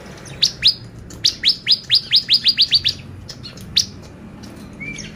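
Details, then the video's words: Bar-winged prinia song used as a lure to make birds excited: a rapid series of about a dozen sharp, high, downward-swept chips evenly spaced, followed by a pause and a couple of isolated chips. "PANCINGAN CIBLEK GACOR bikin burung ciblek EMOSI !!"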